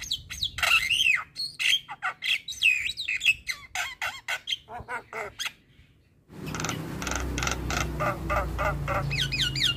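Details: Javan myna song for training young birds: repeated harsh squawks and wavering whistled slurs for about six seconds, a brief pause, then a noisier stretch of chattering notes.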